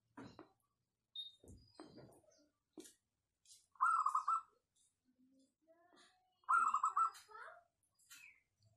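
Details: Local wild-type zebra dove with a clear, dense song: two rolling trilled coo phrases about three seconds apart, preceded by scattered clicks and knocks and faint high chirps.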